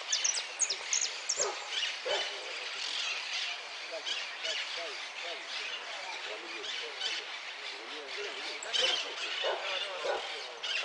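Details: Hooded siskin singing at a bird song contest in Quilmes, Argentina, 29 January 2017: a long, fast, twittering stream of high, buzzy and tinkling notes without pause, over a murmur of people's voices.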